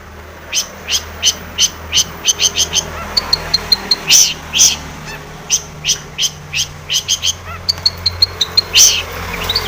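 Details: Long-tailed shrike, singing vigorously with varied filler phrases, meant to rouse other shrikes; steady series of very high clipped ticks and whistles, several per second, with short pauses and a steady low background hum.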